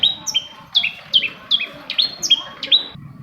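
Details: Long-tailed shrike song used as a lure to prompt silent shrikes to sing: rapid series of sharp, down-slurred whistled notes, about two or three per second, with brief higher squeaks between them.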